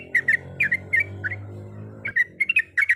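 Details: Sooty-headed bulbul, a female calling to the male, gives spaced, bright bubbly note pairs. A low droning hum runs under the first two seconds.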